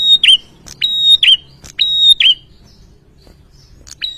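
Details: An ashy tailorbird, stirred up by a lure sound, fires three quick phrases about half a second apart, each a click, level piercing whistle and curling downward flick, then a pause and one more whistle starting at the end.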